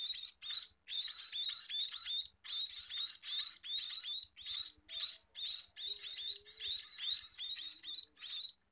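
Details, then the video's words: Scaly-breasted munia singing continuously: dense bursts of high, harsh, scratchy chirps, about two or three per second in irregular runs with brief gaps, the sound staying sharp and thin throughout. "Meloloh Burung Emprit Peking!!"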